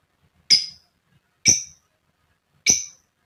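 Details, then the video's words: Female lovebird calling to provoke other lovebirds into singing, three harsh, short, shrill notes spaced about a second apart in an otherwise quiet setting. "Burung Lovebird SUPER GACOR JITU Buat Pancingan Lb Fighter Ngetik Ngekek"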